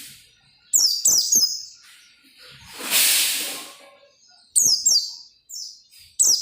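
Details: Oriental white-eye singing to set off other white-eyes: short high twittering phrase bursts at the start and end, with a loud rushing noise in the middle.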